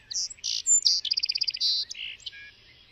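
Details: Song sparrow song: two or three crisp introductory notes, a buzzy burst, a fast trill of about eight evenly spaced doubled notes, another buzz, then lower buzzy closing notes fading away.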